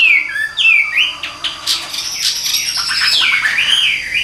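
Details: Tame caged Chinese hwamei singing while gently hand-carried: clear whistled phrases dipping and rising, interrupted by sharp clicks, ending in a long wavering whistle.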